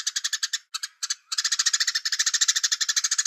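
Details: Velvet-fronted nuthatch (Sitta frontalis) song, recorded at a distance: a fast, high, dry chattering trill of sharp notes, broken by two brief pauses and then running on steadily.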